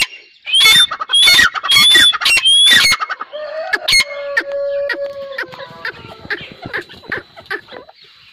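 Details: A pair of grey francolins in the 2021 breeding season: a loud burst of four harsh, piercing calls opens, then quieter chirps and a steady whistled tone from other birds fill the rest.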